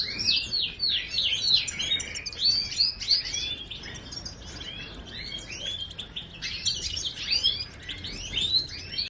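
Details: Goldfinch singing, a breeding bird: fast tumbling twittering with liquid chirps and trills, phrases running almost without pause and bursting at irregular intervals, with no other clear sounds.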